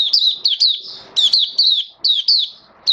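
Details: Oriental white-eye kept as a caged songbird, recorded 19 September 2022 in build-up form: lively bouts of bright, descending whistled chirps in quick clusters, separated by brief gaps, with faint room noise.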